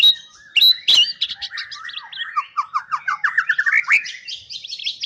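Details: White-rumped shama, a champion bird, delivering a fast continuous song of sharp clicks followed by rapid rising and falling whistled notes strung together in quick repeated runs.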